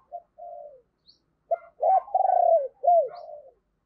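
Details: Spotted dove used as a decoy to call in wild doves. A soft opening coo, then loud throbbing coos and a long sliding note, ending in an arched coo and quieter trailing notes.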